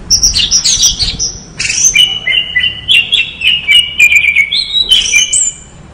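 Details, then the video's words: Orange-headed thrush in full song: loud, rich warbled phrases of clear whistles and fast twittering notes, sliding between high and middle pitches in quick succession for six seconds without a pause. "anis merah gacor"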